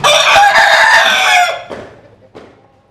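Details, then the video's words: Close, loud rooster crow held for about one and a half seconds, rich and harmonic, ending abruptly; two faint short notes from more distant birds follow. "Tập Hợp Những Tiếng Gà Gáy Rất Hay"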